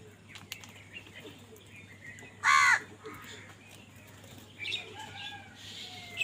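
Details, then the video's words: A single loud, rasping crow caw bursts out during a squabble over food, surrounded by softer chirps and twitters from other birds and a steady low hum. "কাকের ডাক Crow Sound Crow ki Awaz Loudly | Crow bird Fight for Food"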